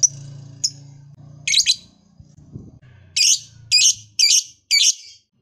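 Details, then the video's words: Lovebird giving a few scattered high chirps, then a run of four loud, harsh chirps about half a second apart over a low background hum. "LOVEBIRD LOYO DIJAMIN JADI SEMANGAT BUNYI LAGI, Setelah Mendengar Suara Burung Lovebird Satu Ini"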